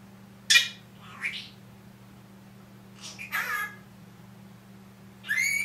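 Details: A one-year-old Senegal parrot named Tiki gives four short, high, raspy speech-like phrases, saying things like "Tiki, Good Morning, I'll be back", at uneven intervals over a steady low hum.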